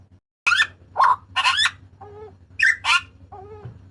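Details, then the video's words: Papuan butcherbird giving its harsh, loud cry for cage-bird training and luring: coarse, raspy bursts alternating with lower, hollow hooting notes, set against a constant faint electrical hum. "TERIAKAN MAUT BURUNG JAGAL PAPUA"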